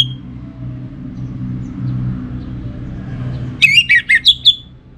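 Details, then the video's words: Orange-headed thrush song from a kept bird in North Bali, Singaraja: a lone brief whistle, a long low rumbling pause, then a quick run of five varied whistled and slurred notes. "Spektakuler Kicauan Burung ANIS MERAH Pancingan Bikin Teler"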